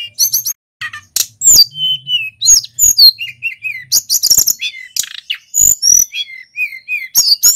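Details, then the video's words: Male local mountain white-eye from Pacitan in full, rolling (ngeroll) song: a rapid jumble of high sharp chirps, thin whistled notes, and short slurred descending phrases, almost continuous with brief pauses. "BURUNG SULINGAN GUNUNG FULL GACOR"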